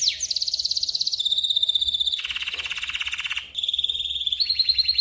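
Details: Master song of a local canary, used for training other birds: unbroken rapid trills changing section by section, a high ringing roll, then a lower, coarser buzzy roll, then back to clear, fast, even trills.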